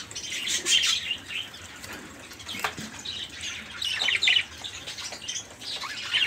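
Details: Noisy group of budgerigars in busy chatter, used to prompt stalled songbirds such as canaries and magpie-robins to sing. Dense high warbling, squeaky chirps and raspy notes overlap throughout, with louder bursts near the start and around four seconds.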